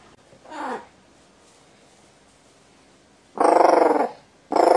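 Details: Pet crow indoors, highly excited after its perch was replaced, recorded 30 October 2018, repeatedly giving baby-cry-like "ogyaa" calls; one short harsh cry, then two loud drawn-out rich cries.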